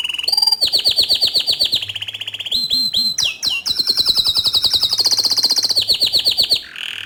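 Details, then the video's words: Green bottle canary singing continuously, intended as a master training song for young canaries: rapid repeated trills and rolling notes, high and bright, switching between tours, with a faint low hum underneath. "Kicau Kenari Hijau Botol Gacor Dor Cocok Untuk Masteran Kenari Paud dan Bahan"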